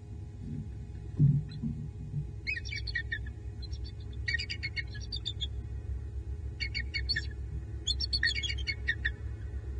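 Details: Pair of wild bald eagles at their nest tree in southwest Florida, early morning hours, November 9, 2021, watchful and vocal after the male moves to an outer branch; four bursts of high, rapid chittering notes over a steady low rumble.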